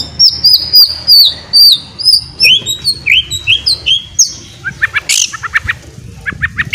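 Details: White-rumped shama in 'ngeriwik' twittering song, played as a lure to prompt other shamas to sing freely: loud, varied whistled phrases with slurred descending notes, then sharp buzzy bursts and quick chips near the end, over a faint low hum.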